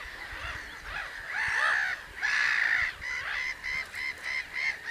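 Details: Several common cranes calling, loud harsh trumpeting notes overlapping, with long blaring calls near the start giving way to shorter clipped honks repeated about once a second toward the end.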